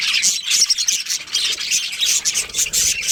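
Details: Budgerigar colony with a breeding pair, kept birds: dense, continuous high chatter of scratchy chirps and short squawks from many birds, rising and falling in loudness without pause.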